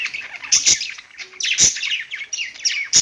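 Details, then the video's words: Budgies perched and singing, a busy stream of buzzy warbles, chirps and high ticking clicks, coming in short overlapping bursts with brief quieter gaps. "budgies singing on perch"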